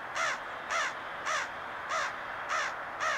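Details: Black birds begging for crackers at a truck door, Little Falls, Minnesota, 13 September 2022: one gives six harsh, nasal caws, one roughly every 0.6 seconds, in a steady rhythm over faint background hiss.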